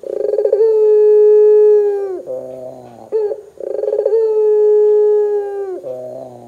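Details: Barbary dove calling strongly to trigger other doves: a rapid pulsed roll opens each long, steady, hollow coo, followed by a dip into lower, buzzy notes; the pattern comes twice.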